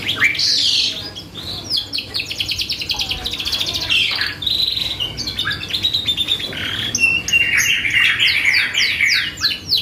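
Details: Canary in energetic song used as a lure to stir other birds: fast rolling trills and buzzy passages alternating with sharp descending sweeps, rapid, varied and nearly continuous, with a low background hum.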